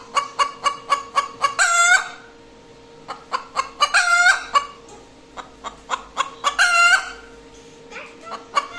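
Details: Hen cackling after laying an egg: quick runs of short clucks, each run ending in a loud drawn-out squawk, the pattern recurring about every two and a half seconds over a steady electrical hum.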